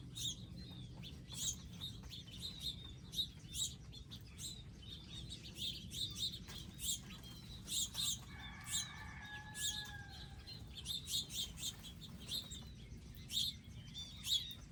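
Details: Wild birds gathered at a garden with feeders, seeds and water chirp busily and continuously in high twittering notes, several calling at once, with a brief steady droning tone in the middle.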